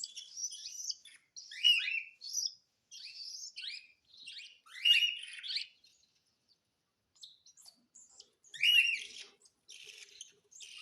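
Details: Hand-feeding session with a cockatiel uttering scratchy, wheezy begging calls in irregular clusters, then a quiet stretch before another harsh burst and softer trailing notes.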